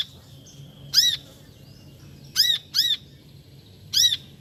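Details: Brown-throated sunbird giving clear, high, down-curving chirps, one alone, then a close pair, then another single note, spaced over a few seconds with a faint steady tone behind.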